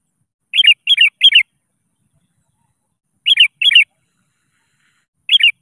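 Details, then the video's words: Actively singing sooty-headed bulbul calling out to rivals, a lure sound meant to prompt other bulbuls to sing; bright bubbly three-note whistled phrases, each burst repeated quickly, separated by pauses of about two seconds, otherwise quiet. "SUARA PANCINGAN.‼️ Kutilang Gacor Memanggil Lawan."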